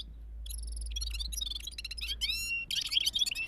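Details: Gulsar bulbul in rolling balkashal-style singing: rapid bright trills and chattering notes, with short rising whistled slurs and buzzy rattles packed closely together. A low steady hum runs underneath.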